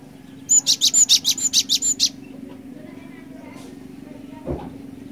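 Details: Cinereous tit used as a lure, giving a short fast roll of about ten high chattering notes lasting under two seconds, followed by steady low hum and a single dull knock.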